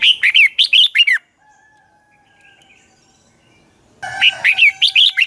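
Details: Dueling song of a red-whiskered bulbul kept as a caged lure bird: a rapid run of warbled, bouncing whistles, a pause with faint steady tones, then another lively phrase of chirpy notes.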